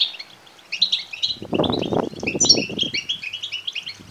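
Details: European goldfinch chicks calling to beg, played to stimulate males to sing and mate: lively high twitters throughout, partly overlaid by a rustling, broadband handling noise in the middle.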